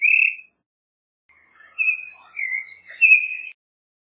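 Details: Creamy-bellied thrush song: one clear whistled note, a pause, then a softer jumble of fainter warbled notes leading into three louder slurred whistles.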